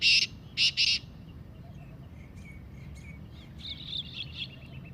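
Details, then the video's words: Black francolin (kala teetar) 'masti' calling voice, used to get captive birds calling: three harsh, buzzy, grating bursts close together at the start, then faint thin chirps from other birds over low background rumble. "کالے تیتر کی مستی والی آواز - Kala Teetar Calling Voice"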